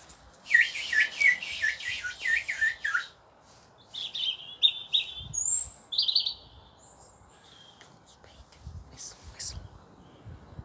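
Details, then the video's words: Garden robin answering a man's whistling. It opens with a run of loud, falling whistled notes, followed by high, thin, warbled phrases with short pauses between them. "Robin communicating to Husbands whistle"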